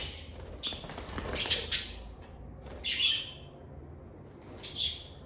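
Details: Lovebirds chirping and singing: harsh, raspy screeches in short bursts, a cluster in the first two seconds, then single squawks near three and five seconds, with quiet gaps between.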